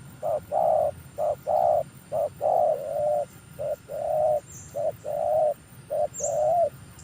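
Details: Newly trained decoy spotted dove, said to be very fierce, cooing to lure wild doves down: clear hollow coos in steady short-short-long groups, repeated about every second and a half, with faint high chirps from other birds.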